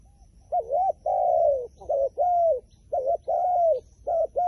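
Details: Rapid run of wild pigeon coos alternating short wavering notes with longer smooth, slightly descending ones. Three pairs follow closely over a quiet, low background.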